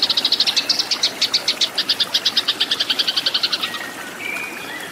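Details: Eurasian tree sparrows fighting, used as a tutor recording for cage birds: loud, clear, rapid high chirps about eight per second for nearly four seconds, then fainter thin calls.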